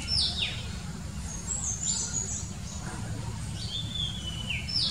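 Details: An Oriental magpie-robin singing in the morning gives a varied run of clear, high whistles, some sliding up or down, over a steady low background rumble.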